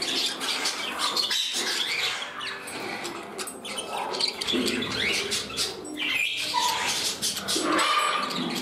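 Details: A group of pet parrots in their new indoor home, one getting lively and jostling for a place beside another; thick twittering chatter with scattered short whistles and wingbeats.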